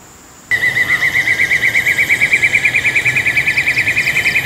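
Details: Black-and-yellow broadbill at Taman TAR, Congkak, West Malaysia, 2022: after half a second of quiet, a steady pulsing trill starts, fast repeated wavering notes at an even mid-high pitch that carry on without a break.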